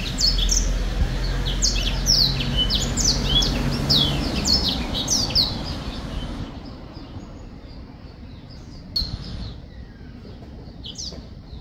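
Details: Black-throated finch song: rapid run of high, sharp, slurred chirps, about four per second, for six seconds against low rumbling background noise, then quieter with a few scattered high notes.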